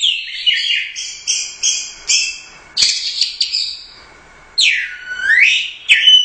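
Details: Competition orange-headed thrush, first-prize champion at a Royal Cup contest, delivering rapid chattering phrases in short bursts, then a pause and a long swooping whistle dipping and rising again, followed by high clipped notes.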